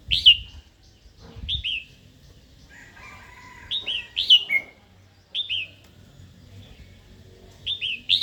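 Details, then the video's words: Female red-whiskered bulbul calls meant to provoke a wild-caught male to sing and fight. Loud, sharp downward-slurred chirps come singly or in pairs every second or two, with a few low clunks at the start. "Chào mào hót tiếng mái kích bổi"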